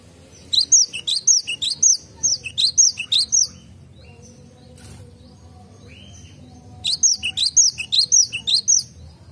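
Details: Cinereous tit singing in a garden, with two bouts of high, ringing whistled phrases repeated rhythmically, roughly six to eight motifs per bout, separated by several seconds of near silence and faint background hum.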